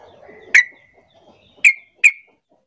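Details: Sooty-headed bulbul calling to draw answers from other bulbuls: three sharp, bright chirps over a soft low murmur at the start.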